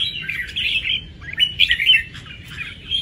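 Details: Red-whiskered bulbul, a kept cage bird, singing a fast, continuous run of chirpy warbled notes that rise and fall, with a low rumbling hum underneath.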